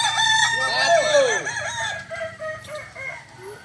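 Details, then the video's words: Kokok Balenggek roosters at a joint training session in Ampang Kualo, Kota Solok; a long crow breaks into a series of short stepped syllables, with other roosters crowing and overlapping in the background. "latberan ayam kukuak balenggek ampang kualo kota solok"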